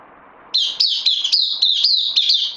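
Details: Bulbul kept in a cage, newly arrived on loan, September 2020. After a short quiet start comes a quick run of bright, high notes, each clipped and sliding downward, delivered in a steady stream.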